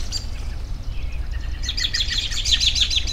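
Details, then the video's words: A bird repeats a bright, sharp high note in a quick, even series after a few softer chirps, over a low rumbling background. "Bird Sounds"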